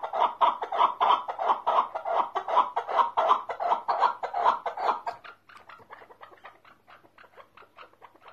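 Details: Male chukar partridge (keklik) in Tajikistan, singing in the excited 'mast' state: loud, rhythmic clucking notes repeated about two to three times per second for five seconds, then a quieter, faster run of similar chuk notes.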